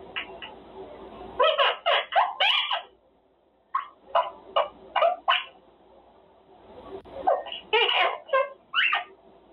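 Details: Male Quaker parrot talking in his cage, clusters of scratchy speech-like syllables separated by quiet gaps, with a low background hum at the start and end.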